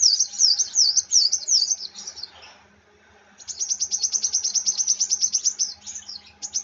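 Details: High squeaky sunbird phrases, then a short pause, then a fast, even run of thin, very high ticking notes from the agitated bird; faint low hum behind.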